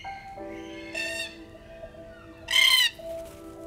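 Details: Two harsh, grating squawks from a Red-tailed Black-Cockatoo at a free-flight bird show at Taronga Zoo, Sydney, each under half a second, over steady background music.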